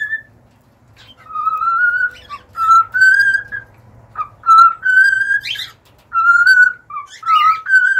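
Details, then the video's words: A cockatiel song of drawn-out, slightly rising whistled notes with rich overtones, delivered in phrases of two or three notes with short gaps, over a soft low background hum. "an hour of cockatiels singing"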